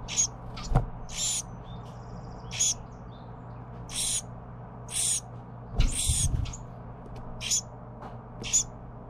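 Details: Baby Carolina wren fed by parents, giving a run of rapid, high, harsh chirping bursts, some clustered and overlapping, with a few low thumps and a steady low hum underneath.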